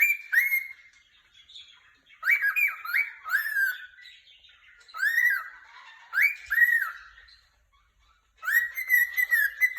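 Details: Happy pet cockatiel chirping in bursts of rising-and-falling whistled notes, with clear harmonics, separated by short quiet gaps, with a longer pause near the end before a final run of chirps.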